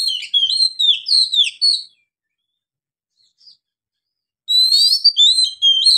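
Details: Oriental magpie-robin in Indonesia with loud, long-breathed ngeplong song: a string of sharp, high whistles and slurred warbles, a silent gap of over two seconds, then another burst of bright whistled phrases.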